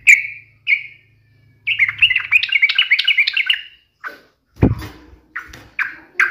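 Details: Yellow-vented bulbul singing hard to challenge a rival: two clear notes, then a rapid rattling chatter of warbled phrases, then a sharp knock and several loud separated notes, over a low background hum early on.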